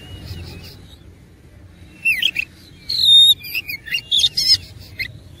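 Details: Fighting kacer, the oriental magpie-robin, starting after two seconds of quiet with scratchy chatters, a drawn-out bright whistle and a string of short varied notes.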